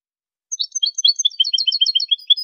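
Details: Goldfinch song recorded for tutoring birds: after a short silence, rapid liquid twitters and chirps tumble together in a bright, fast, high-pitched sequence.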